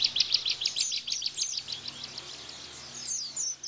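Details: Bar-winged prinia in tembakan rapid-fire style, a tutor song for cage white-eyes. Softer and a little hissy, with quick high chirps and occasional downslurred whistles repeated about three times a second.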